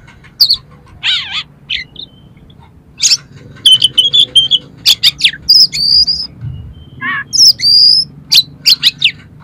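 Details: Oriental magpie-robin song played to rouse another magpie-robin, full of harsh imitated phrases: scattered whistles and buzzy notes high in pitch, with short sharp bursts and pauses, over a low steady hum.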